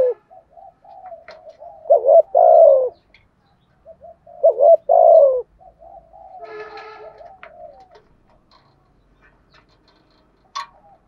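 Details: Lure recording of a spotted dove cooing continuously in 'thổ' style to provoke rivals: two strong phrases of a dipping note plus a long falling coo, linked by softer low coos, with brief clicks and a faint tonal hum.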